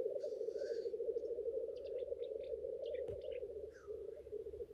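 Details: Courting male black grouse at the lek: a dense, rolling, dove-like bubbling drone throughout, with short scattered chirps and hisses above and a brief thump.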